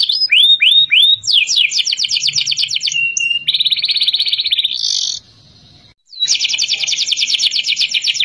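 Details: Young canary learning to sing, answering straight away. Opens with repeated downward-sweeping whistles, then rapid bright trills, a buzzy stretch and a brief quiet pause, before resuming with another fast, even trill.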